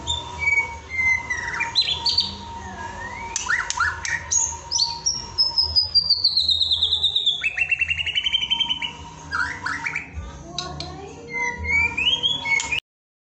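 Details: White-rumped shama (murai batu) song-training recording for evening: clear whistles, then a long fast string of repeated high notes sliding downward, a rapid trill, and later rising whistles before ending abruptly.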